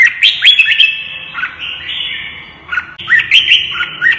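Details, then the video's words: Caged red-whiskered bulbul provoked into a fight, singing quick whistled phrases of rising slurs, pausing amid a sustained ringing tone, then resuming with another burst of bright notes. "CHÀO MÀO | Kích chim đấu ché hót căng lửa"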